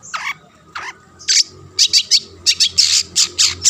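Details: Constantly singing long-tailed shrike, used to provoke other shrikes: scattered harsh, buzzy notes give way to a fast series of short rasping chips, about four per second.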